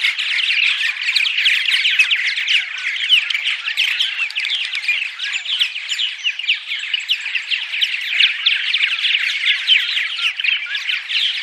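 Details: Many purple martins calling together at morning, played to draw martins to nest houses: steady overlapping chirping and gurgling chatter, busy and unbroken, with brief sharper squeaks rising above the mass.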